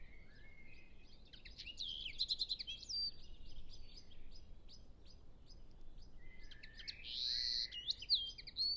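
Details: European pied flycatcher, recorded while nesting and feeding two young, sings two short, bright phrases of high, sweet, rapidly varied notes, separated by a pause, over a low background rumble, with other birds distant.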